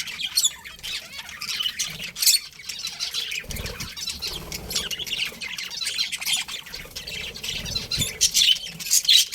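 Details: Budgerigars keep up a steady high warble of fast scratchy chirps and squeaks, with occasional louder sharp notes and faint low thumps beneath.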